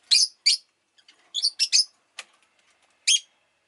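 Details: Rosy-faced lovebird giving a lively series of loud, shrill, screechy chirps, several in quick pairs, with a short pause before a final sharp note.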